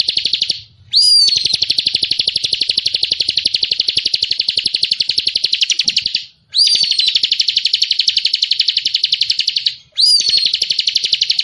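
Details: Songbirds, presented as cililin and ciblek training song: a high, dense, buzzing trill of rapid pulses runs for several seconds, each burst opening with a sharp slurred whistle, breaking off briefly and restarting twice.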